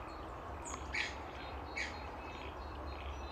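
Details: A wild Latham's snipe at Jerrabomberra Wetlands gives two harsh, rasping notes about a second apart, with a thin high chip just before, over a steady low rumble.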